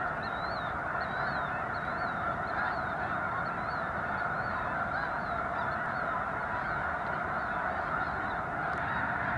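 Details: Thousands of snow geese gathered at a Missouri wildlife refuge while a controlled burn runs nearby under blue sky and light breeze; a thick, steady wall of overlapping honks, with thin, looping high notes standing out over the first half.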